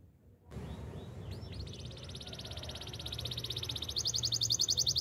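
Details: Canary song in the wild: after a quiet start, a few soft notes lead into a long, high, rapid trill that grows steadily louder and brighter toward the end, over low rumbling background noise.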